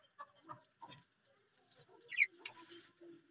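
Lovebirds give a few sharp, shrill chirps and squeaks, with one quick high-pitched sweep, scattered over three seconds against a quiet background.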